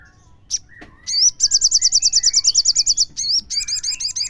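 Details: Song of a crimson sunbird played as a lure to draw other sunbirds into singing: a long rapid trill of sharp, bright repeated high notes, several a second for nearly two seconds, followed by further chirped notes.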